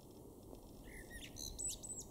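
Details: One brief phrase from a male common blackbird in a Weener garden, East Frisia, northwestern Germany, April 2024: a low soft whistle leading into a rapid, high, scratchy twitter; background hum.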